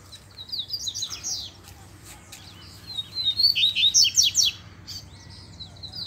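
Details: Double-collared seedeater out in the wild brush, with a calling chick present; two bursts of fast, high, chirping notes, the second louder with clipped syllables repeated in quick succession.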